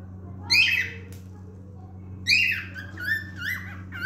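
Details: Male cockatiel gives a harsh squawky note, pauses, then a second harsh note leading into short wavering whistles, against a faint indoor hum.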